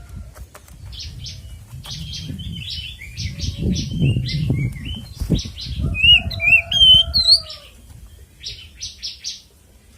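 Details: Oriental magpie-robin in ngeplong tarung fighting song, a lure for other magpie-robins: scratchy chattering bursts at first, then loud clear whistled swoops in the middle before scratchy notes return, with steady low rumbling background noise.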